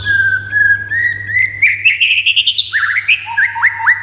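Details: White-rumped shama singing to spur other shamas into excited song: a long, smooth whistle gradually rising, then a rapid ascending chatter, a brief trill and several sharp upward flicks. A mains-like hum sits below the opening.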